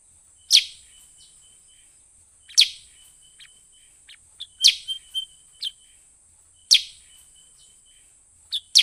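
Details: Sooty-headed bulbul lure call used to attract wild birds: sharp, high chirps repeated about every two seconds, with a few short softer notes between them, over a steady high hiss.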